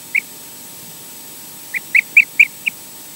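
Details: Wild osprey at a nest in Scotland, filmed by a nest camera during mating and a nest changeover; one short high whistled chirp, a pause, then five more sharp chirps in quick succession, clear above a quiet steady hum.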